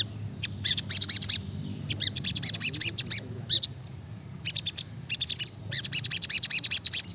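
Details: Dense, chattering sunbird song of the sriganti in gacor style: crowded strings of shrill, rapid chirps and trills running almost without pause, high and bright throughout.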